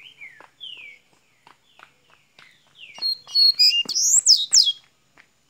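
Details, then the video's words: Double-collared seedeater from Minas Gerais, Brazil, working into song: scattered soft clicks and descending chirps build to a loud, fast series of ringing high whistled sweeps, crisp and close. "coleira golinha de minas gerais abrindo canto !"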